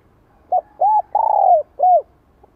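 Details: Spotted dove giving a full '2 hậu lỡ' phrase to excite a newly caught bird: a short note, a hoot, a long wavering coo and a final rounded hoot, all low and mellow in quiet surroundings.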